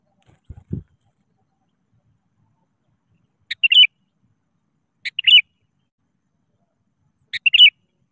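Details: Sooty-headed bulbul (kutilang) calling to a rival as a lure call: three short bubbly whistled phrases, each a quick note then a warbled flourish, about two seconds apart; a soft low thump at the start.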